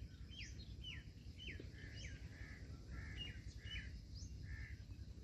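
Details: Chicken chick calling its mother hen from inside the egg: a run of about ten short, high, downward-slurred cheeps, roughly two per second, over a steady low rumble of background noise.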